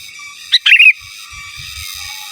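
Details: Sooty-headed bulbul, gacor song in giras and menggaruda style for master training: a single crisp phrase, one short note then a rapid, fluty descending warble, followed by soft low knocks.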